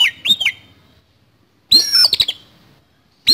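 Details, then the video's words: Oriental magpie-robin in harsh, loud fighting-style song: a few sharp, sweeping notes and squawky phrases in short bursts with brief pauses between. "KACER TARUNG ISIAN KASAR"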